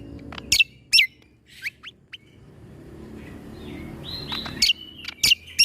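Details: Greater green leafbird song, played as a tutor recording for young white-rumped shamas to learn its sharp 'tembakan' (shot) style: loud, piercing whip-like chirps sweeping downward in scattered bursts, a brief warbled phrase midway, faint low rumble behind.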